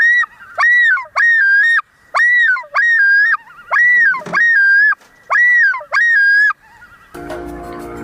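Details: Common loon; yodel; defending territory and warning other loons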